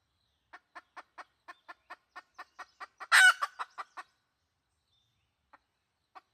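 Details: Wild red junglefowl hen call used for luring, recorded 2020: quick clucks building to a loud, harsh squawk, a few further clucks, then near silence with scattered single notes.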